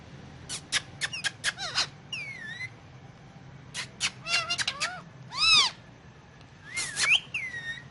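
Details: Talking Indian ringneck parakeet, a pet on pillows, speaking Urdu/Hindi: busy chatter of clicks, curving whistled notes and harsh harmonic speech-like syllables, one loud stacked burst near the middle.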